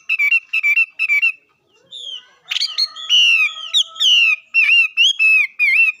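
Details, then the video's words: Songbird call: three clipped whistled notes, a brief pause, then a run of sweeping, slurred whistles that rise and fall, loud and clear with no other noise. "Coob quaj zoo heev li"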